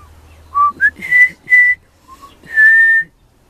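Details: Young pied butcherbird singing at Christmastime: a short rising note, then steady whistles, the last a longer held pure tone, all clear and flute-like over a quiet background.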